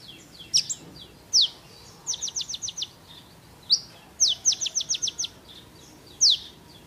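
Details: Sunbird, known locally as kolibri ninja, singing actively, recorded as tutor material for training other songbirds; thin, very high notes sweeping sharply downward, alternating single strokes with quick bursts of five or six rapid descending notes.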